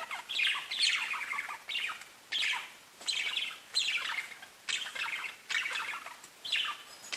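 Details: Pet budgerigars chirping: bursts of bright, scratchy warbling notes sliding downward, each lasting under a second and repeated about every 0.7 seconds with short quiet gaps between.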